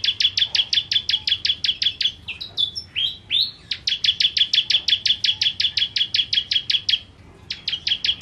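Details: Bar-winged prinia (ciblek kristal) singing energetically in 'nembak' style: a long run of quick, high, clipped notes, broken once by a few rising slurred whistles, then resuming the rapid series.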